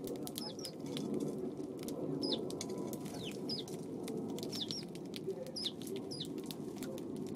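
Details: Eurasian tree sparrows on an April 25 afternoon: a rapid series of short, sharp, downslurred chirps, several each second, over a steady broadband background hiss.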